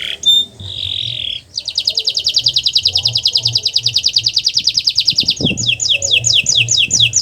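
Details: Canary master recording to stimulate silent birds to sing: a buzzy note, then a sustained rapid trill of pulsed high notes, ending in repeated downslurred whistles.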